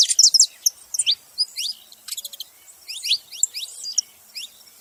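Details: Saffron finch singing a quick string of sharp high chips and short rising and falling slurred notes, in irregular bursts with brief pauses.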